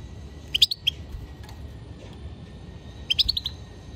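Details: Goldfinch twittering: two bursts of quick, high-pitched chirps about two and a half seconds apart, each a rapid tumble of several bright notes.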